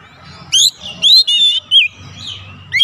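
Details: Oriental magpie-robin lure song meant to prompt other birds into full song: separate clear whistled notes, some sliding and some looping, spaced with short gaps, over a faint low hum.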